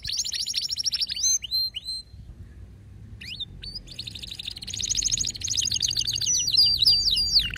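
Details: Male canary in an excited state, giving clear descending whistled slurs, a short pause, then dense chattering trills mixed with rising and falling sweeps.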